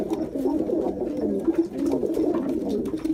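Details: A dense, low chorus of Jacobin pigeon coos, rolling and purring phrases running together with brief louder swells.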